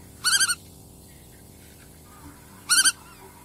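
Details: Black-tailed godwit giving two loud, nasal, rapidly pulsed calls about two and a half seconds apart, each a short wavering burst of several beats, over a steady background hiss.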